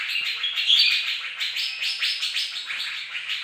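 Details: Morning song of a bird-of-paradise, loud and unbroken: fast, rattling chatter of sharp, high notes pouring out in quick succession.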